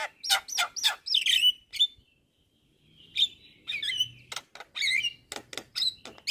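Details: Captive-style jalak kebo, or Javan myna, giving energetic masteran song: squeaky chattering bursts and warbled whistles, a short pause, then a mix of metallic chirps and sharp high clicks.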